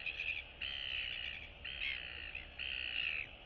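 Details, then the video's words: Young royal albatross chicks greeting each other at their nests, recorded 9 September 2022; three long, even, buzzy brays of about half a second to a second each, separated by brief pauses, over background hum. "Royal Albatross ~ Cute Chick Chat & Interacting Among Neighbors!"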